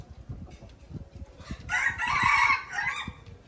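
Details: Red junglefowl from Aceh, a lure recording: after soft low thumping, a single harsh, broken crow of about one and a half seconds bursts out, rising then trailing off.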